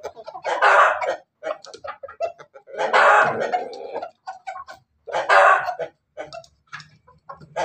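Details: Crossbred Ayam Ketawa Bangkok and Pelung chicken, about to lay eggs, Banguntapan, Jogja: loud raspy cackles about every two seconds, each followed by softer clipped clucks.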